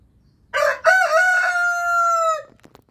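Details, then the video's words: Orpington or Marans rooster crowing: one loud, harmonic crow of about two seconds, a brief rough opening then a long held tone that ends abruptly, with faint clucks after. "Orpington and Marans roosters crowing"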